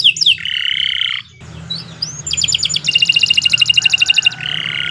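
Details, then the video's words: Canary training song: a couple of falling whistles and a buzzy phrase, a brief quieter stretch, then a long fast trill of evenly repeated notes and a closing buzz, over a constant low hum. "Kicau Burung Kenari 114 II GACOR PANJANG Cocok untuk Masteran"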